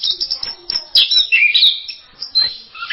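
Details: Orange-headed thrush singing in the masteran style, a varied song learned from other birds: quick high chirps and trills with sharp sweeping notes, loud bursts between brief quieter gaps.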